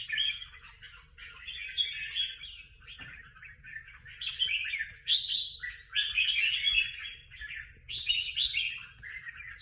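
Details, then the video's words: Prize-winning contest bird singing in a competition: a long, rich run of bright warbled and trilled phrases, rising and falling, with short pauses between bursts and a faint low hum underneath. "Những chú chim hót đấu hay nhất và được nhiều giải nhất"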